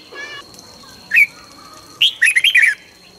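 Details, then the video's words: Morning song of a red-whiskered bulbul for training birds to sing in the căng lửa manner: a single clear whistled note, a pause, then a fast run of loud bubbling, rising-and-falling notes over a faint steady whine. "luyện chào mào hót sáng 2020- Hót hay nhanh căng lửa - Cách luyện chào mào hót căng lửa"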